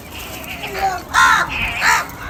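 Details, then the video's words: A large flock of crows calling for different foods. Several harsh, nasal caws with rich harmonics come close together, the loudest two about a second apart, over a low background murmur. "Huge numbers of crows Call for different foods"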